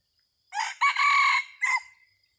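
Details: A decoy red junglefowl cock, in a session luring wild birds in Thailand on 30 October 2023, crows once: a rough rising first note, a sustained harsh middle section and an abrupt short ending note.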